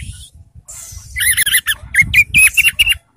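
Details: Caged orange-headed thrush, made to exercise but left dazed, sings a short burst of varied, quick warbled and whistled notes. The phrases twist up and down and follow in rapid succession over a low background rumble.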